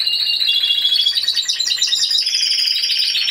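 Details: A Timbrado Español canary sings alone at a voice-canary competition in November 2015, individual category C2. A fast, dense, rattling trill steps gradually downward in pitch, then settles into a lower rolling pulse.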